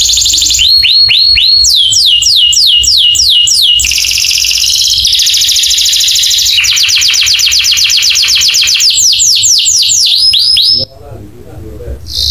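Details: Canary training song meant to set other canaries singing: loud, high trills of fast repeated downswept notes, shifting into a dense buzzy rattle and more rolling tours before stopping abruptly near the end.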